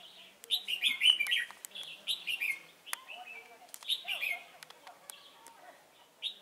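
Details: Singing red-whiskered bulbul kept as a trapping decoy at Chùa Hương on 28 November 2017: lively, bubbling whistled phrases in quick succession, some slurring downward, mixed with crisp clicking sounds.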